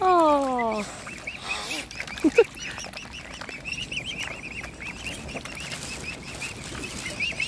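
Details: Hand-fed mute swan cygnets: a loud descending drawn-out call opens, then the brood keeps up continuous high, wavering whistled peeps beneath a quieter murmur.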